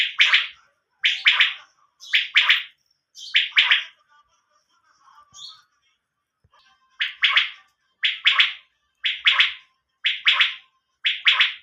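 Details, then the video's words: Quail calling: sharp, bright double chirps repeated about once a second, a short pause mid-clip, then the paired notes resume steadily in a quiet setting. "Batair sound nice sound"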